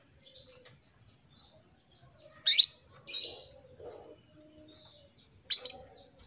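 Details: Female canary calling for a male: loud high downward-sweeping chirps and a buzzy rasping note, spaced a few seconds apart, with soft low background sounds.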